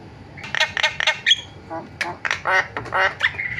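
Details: Javan myna producing a varied string of nasal, quacking squawks and short harsh notes, irregularly spaced, with a brief whistle near the end.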